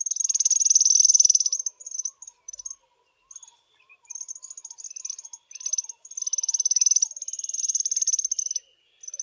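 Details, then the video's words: African firefinches, a small group sunning themselves on a chilly morning, give long, high, rapidly pulsed trills lasting one to two seconds, with clipped high notes in the pauses and faint lower chirps beneath; background otherwise quiet. "AFRICAN FIREFINCH songs"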